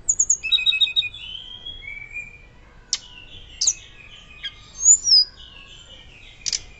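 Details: Hill blue flycatcher in active, loud fluting song for luring and tutoring other birds; opens with a quick high trill, then drawn-out level whistles, sharp chips and a bright twisting whistle near the end.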